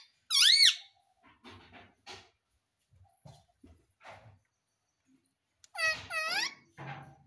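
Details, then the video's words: Talking pet Indian ringneck parrot: a sharp, ringing squawk at the start and a pair of loud, arched screeches near the end, with soft clicks and faint low murmurs between them. "Parrot Sound || Mitthu Ki Aavaj || Talking Parrot || Cute Ringneck Parrot mitthu"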